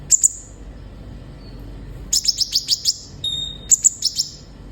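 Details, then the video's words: Sunbird (kolibri ninja), a lively singer, played to make young captive birds sing quickly: high thin notes in short bursts, a pair of sharp chirps, then a rapid series of six bright ticking notes and a short run of high chirps. "Terapi suara burung kolibri ninja gacor"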